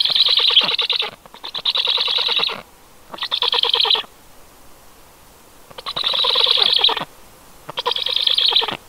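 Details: Storklets calling, recorded 18 July 2022, in separate bouts of about one second each: harsh, fast rattling pulses separated by short quiet gaps, with one longer pause in the middle.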